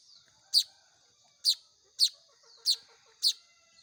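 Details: Baya weaver chicks being hand-fed, begging with five sharp, high chirps spaced roughly half a second to a second apart over a thin, steady high whine.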